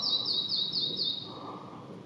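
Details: Red-breasted flycatcher song phrase: about five rapid, high, slightly falling whistled notes repeated evenly, then fading out, leaving soft background rumble.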